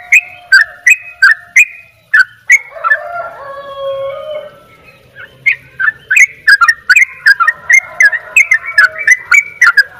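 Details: 'Dobel ropel' song from a Bali-type sooty-headed bulbul: bursts of quick chirps broken by a low, wavering warble, then a faster, tighter run of chirps to the end.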